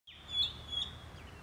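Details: Oriental magpie-robin in Sagar, Shimoga, Karnataka, India, gives one long, clear, high whistle that slides gently downward, with a couple of brief flicks mixed in, over a low background hum.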